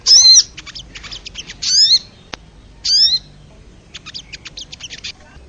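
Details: Wild crested jay, a recording meant to excite caged birds. Loud, clear whistled notes that slide downward, heard three times, alternate with rapid high chattering bursts and one sharp click.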